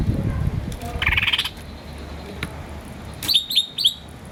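A green starling gives a quick burst of buzzy chirps, then three sharp, high, down-slurred chirps, over low background rumble.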